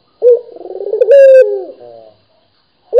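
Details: Single full coo from a vocal local puter dove: an abrupt start, a soft rapidly trembling stretch, then a louder ringing note sliding downward, with another coo beginning at the end.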